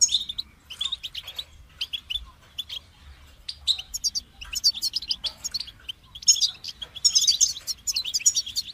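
A goldfinch sings a fast, bright, tinkling twitter of high chirps and buzzy trills, run together in bursts with short pauses, growing busier near the end.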